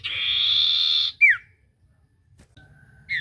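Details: Common iora song used as a lure to get a silent bird singing: a long, steady, buzzy-edged whistle held for about a second, then a short sharp note sliding downward, and a final brief falling note after a pause.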